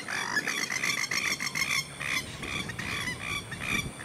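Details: Masked lapwing (Vanellus miles) filmed on the Sunshine Coast, Queensland, in January 2022, giving harsh, rasping notes in a rapid burst, then slower repeated calls over a steady background hiss.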